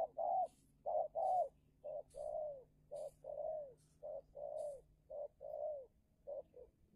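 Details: Decoy spotted dove in a heated contest with a wild rival, Indonesia: mellow, hollow coos in paired and tripled phrases, some notes drawn out and slightly falling, roughly one phrase per second over a quiet steady hum.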